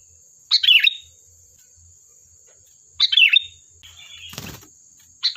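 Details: Sooty-headed bulbul singing in lively, chattering form, used as a lure to get other bulbuls to answer; short bubbly warbled phrases come about every two and a half seconds over a steady high thin whine, with one sharp click near the end.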